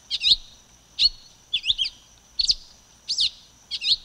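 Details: Silver-beaked tanager (pipira-vermelha) singing: six short, sharp, buzzy two-part notes near the top of the range, repeated roughly every half to three-quarters of a second, over a faint steady high hiss.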